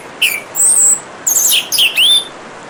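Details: Orange-headed thrush song over a soft wash of running water: a short phrase of clear, slurred whistles, some sweeping high, others dipping lower and rising again, sung in quick separate bursts.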